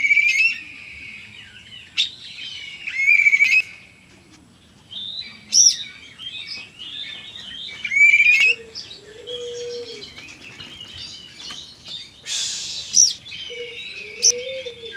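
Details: Oriental magpie-robin in loud, energetic song: repeated bursts of varied whistles and chattering notes, one harsh rasping phrase, and a faint low tone now and then.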